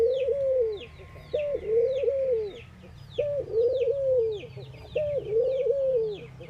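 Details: Ring-necked doves of India calling in the morning: repeated phrases of a clipped rising note followed by a long wavering coo, about every one and a half seconds, over steady twittering of other birds.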